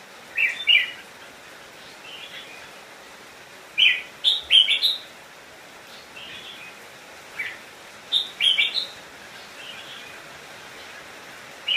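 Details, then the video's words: Decoy red-whiskered bulbul singing to call wild birds in to fight: short bursts of sharp, bright chirped notes in clusters a few seconds apart, over steady hiss. "Chào Mào Mồi Hót Gọi Bổi Về Đấu / Chào Mào Hót Đấu chim Trời"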